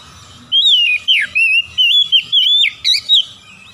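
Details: Oriental magpie-robin delivering a continuous string of melodious, wavering whistled notes, each short and rapidly repeated, with varied rising and falling inflections.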